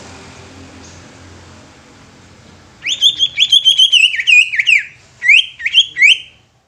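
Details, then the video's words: Greater green leafbird song used to provoke other leafbirds into singing and agitation: after about three seconds of quiet, a rapid run of loud, clear whistled notes with sharp upward and downward slurs, a short pause, then a brief second burst. "Cucak Ijo Ini Mampu Bikin Cucak Ijo Lain Ikut BUNYI dan EMOSI"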